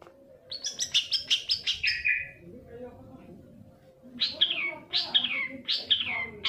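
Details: Long-tailed shrike lure sound for prompting reluctant birds to sing: a quick run of sharp chips falling into a drawn-out downslurred note, a pause, then three separate downward-sweeping harsh calls.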